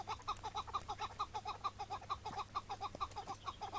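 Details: A May 2017 morning at a partridge decoy hunt, where a wild chukar arrived, was captured and released on the spot; evenly spaced, clucking chuk notes repeat rapidly and regularly for the whole stretch against a low background hum.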